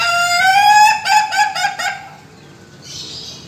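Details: Laughing chicken (ayam ketawa) giving a dursam-style crow: a sustained tone rising slightly over nearly a second, broken into about five rapid staccato laughing bursts, then quiet with a faint hiss.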